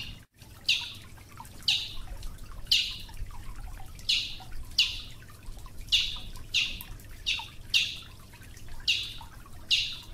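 A Brazilian tanager gives sharp, high, slightly falling notes about once a second, ten in a row, over a low steady rumble.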